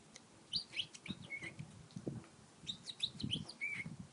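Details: Pet parakeet chattering and talking while flirting with a stylus: two bursts of quick, high chirpy warbles over a steady background hiss with soft low thumps.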